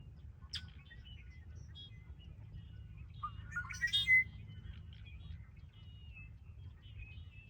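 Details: Red-winged blackbird at Ridgefield National Wildlife Refuge on 20 February 2025. Faint, brief, scratchy notes sound early on, then a short burst of rising, buzzy notes ending in a bright whistle, over a steady low rumble of background noise.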